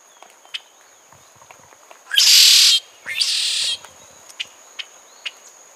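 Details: Cuban red-shouldered blackbird giving two harsh, rasping buzzes about half a second each, separated by a brief gap, over scattered soft chips and a constant high-pitched hum.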